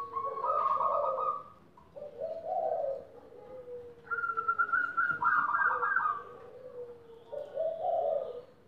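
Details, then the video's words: A captive-bred zebra dove sings soft, bubbly cooing phrases, each a rolling trill of quick low notes trailing into a longer coo, repeated every few seconds. "SUARA PERKUTUT GACOR"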